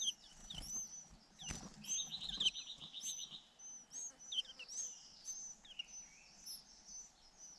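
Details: Two white-eye nestlings begging as parents take turns feeding them: thin, high chirps scattered throughout, with a rapid run of sharp notes partway through and soft rustling.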